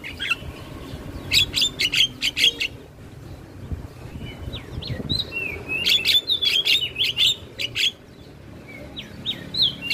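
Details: Javan myna in full song while bobbing its head, used as training audio for other songbirds: bursts of sharp clicking notes alternate with high whistled slurs and chirps, two loud phrases separated by a quieter stretch with scattered short chirps.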